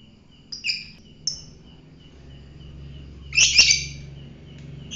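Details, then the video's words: Fighter lovebird with two short shrill chirps followed by a louder, longer harsh chattering burst, against a low steady hum. "fighter lovebird"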